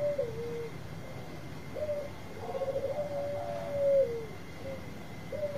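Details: Zebra dove of the Bangkok kind, singing as a lure for answering doves: scattered short falling coos, then a stuttering trill leading into a long even coo dropping at its end, with soft hiss and a thin steady tone.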